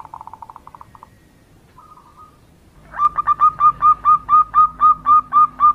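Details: Female zebra dove calling to a male: a quick stutter of soft cooing notes, then a steady run of mellow, upslurred coos, about three per second.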